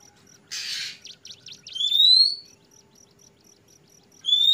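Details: Kacer (Oriental magpie-robin) in trotol ngeplong song: a brief rasp, a chattering run of sharp notes, then a loud rising whistle, a pause of soft clicks and another whistle starting at the end.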